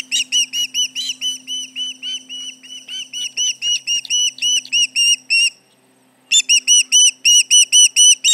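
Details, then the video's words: At the Charlo osprey nest, intruders prompt fast whistled alarm notes, July 2019 near 11:30 a.m.: a dense, slightly uneven chatter of high chirps, a silent gap around six seconds, then clean ringing notes resume; background hum. "Intruders around, 7/29/19 - Charlo osprey nest"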